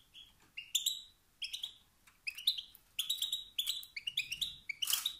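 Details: Male European goldfinch calling in the 'sitsat' and 'batbat' style said to stir other males into song by triggering rivalry; short clusters of high, liquid twittering notes separated by brief gaps, ending with a harsh rasp.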